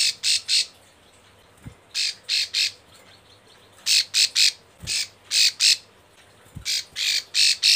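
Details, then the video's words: Female Bar-winged Prinia in breeding condition calling a male, used as a lure: harsh, buzzy high notes in quick bursts of three or four, repeated every couple of seconds, with a few soft clicks and a low hum. "Ciblek sawah Betina birahi gacor panggil jantan"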